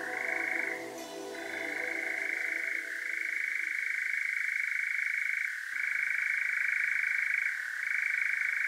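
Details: A European nightjar churrs at night in Devon, South West UK, recorded with a parabolic microphone: one long, unbroken mechanical trill shifting briefly in pitch every couple of seconds, a low music-like drone underneath for the first half.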